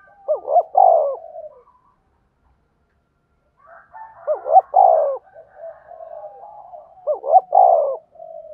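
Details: Decoy spotted dove used to lure others onto birdlime sticks, giving three loud cooing phrases, each a wavering pair of notes and a drawn-out falling coo, separated by quieter murmured coos and one two-second pause.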